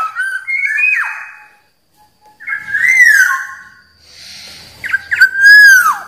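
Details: Black-naped oriole whistles in three phrases separated by short silences: varied fluty notes ending in a sharp drop, a smooth rising-falling whistle, and a final loud slurred note sliding downward.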